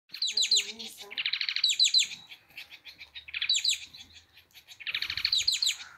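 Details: Male white-crested society finch (Bengalese finch) singing its courtship song during a courtship dance: four scratchy, buzzy, high, fast phrases of quick notes, each about a second long, with short pauses between.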